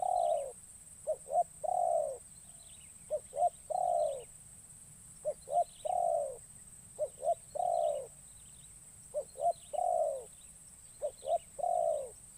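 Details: Young captive spotted dove, on its first outing as a lure for wild doves in the forest, repeating its phrase about five times: clipped notes, a long quavering coo and a curved falling coo. A constant shrill hum is heard behind it.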